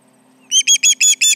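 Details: Osprey alarm over intruders near the Charlo nest, July 29, 2019, 11:30am MDT: after a short quiet lead-in, five loud, harsh whistled chirps follow in quick succession.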